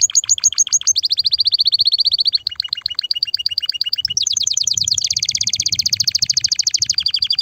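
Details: Loud, excited canary song meant to stimulate mating: long rapid rolling trills that shift pitch from phrase to phrase, high and steady, with each roll sustained for one to two seconds.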